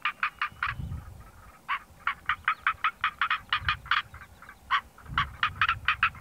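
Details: Northern black korhaan calling from a raised termite-mound-like perch, giving long fast series of harsh rattling croaks that break and restart, with low rumbling noise in the background.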